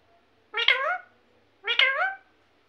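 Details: Pet parrot, called mithu, imitating speech such as "mithu mithu mummy mummy": two drawn-out, harmonic, slightly falling utterances about a second apart in a quiet indoor room.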